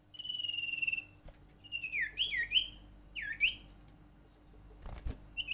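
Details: Common iora (sirtu) lure call intended to make other ioras call: a long level whistle, then looping dipping whistled notes in two bursts, and a short final note, with a thump near the end.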